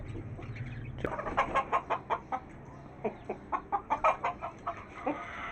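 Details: Hen kept on a house roof, calling with a voice the owner finds changed, perhaps from a bad throat: a string of short, hoarse clucks about every quarter second for four seconds, with a thump at the start.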